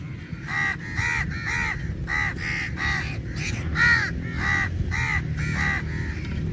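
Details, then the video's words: Large group of crows fighting for meat: an almost continuous series of harsh caws, roughly two per second, overlapping from several birds, over a low steady rumbling background. "Crow Birds Fight For Meat | Large Number Of Crows Naturally Awaz"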